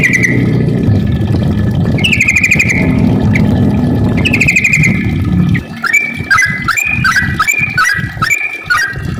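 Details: Lure song of a yellow-vented bulbul, the long 'ropel' type used to stir other bulbuls into song: a rumbling engine and a drawn-out whistled tone from another bird open, then rapid, choppy warbled notes follow in a quick run.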